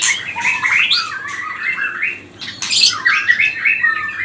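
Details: White-rumped shama of the pastol type, its energetic song meant to provoke rival birds into singing: fast rising whistled phrases and sharp chirps, with a short high burst midway.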